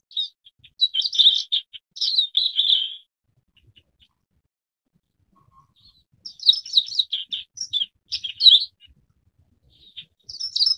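Forest wagtail giving bursts of high, squeaky chirps in quick runs of about two seconds, with a quiet pause between bursts and little else heard.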